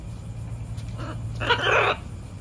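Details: Hormonal macaw, a pet bird indoors, giving one short harsh raspy squawk lasting about half a second after a brief softer note, over a steady low hum.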